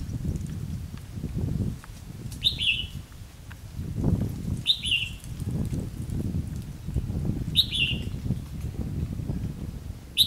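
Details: Red-whiskered bulbul calling as a decoy in a trap, 9 September 2016, giving short sharp slurred notes roughly every two and a half seconds over heavy low rumbling and handling noise.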